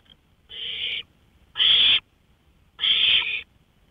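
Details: Owl out on a porch at night, 1:53 AM, May 5, 2013, giving three rough, breathy hissing bursts, each about half a second long and spaced roughly a second apart, the middle and last louder than the first.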